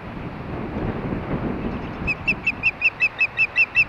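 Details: Nest-camera recording of Ospreys at Hellgate, Montana, 8:30 PM on 4 May 2013 during mating: rumbling wind noise at first, then about nine sharp, high, repeated whistled chirps in a quick, even series.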